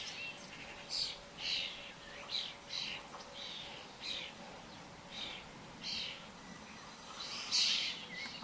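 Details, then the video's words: A mob of common starlings on the ground makes a run of hoarse, scratchy buzzy calls, spaced roughly every half second to second, with constant outdoor noise behind. "Starling mob"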